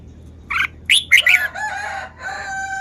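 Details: Red-whiskered bulbul giving a fast phrase of bright chirped notes while showing its song style, followed by a longer, steadier tonal sound that fades out.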